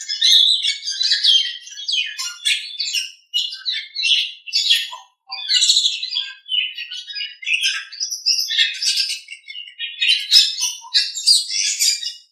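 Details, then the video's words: Nias hill myna master recording for training birds: a long, busy sequence of quick harsh chirps and squawky phrases, broken by two brief silences, with a few low whistled notes. "Masteran Suara Jalak Nias"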